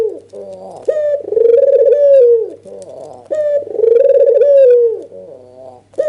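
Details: Albino white dove with red eyes, nodding excitedly and calling as a lure for reluctant doves: two long trilled coos, each opened by a clipped rising note, with a soft low hum throughout.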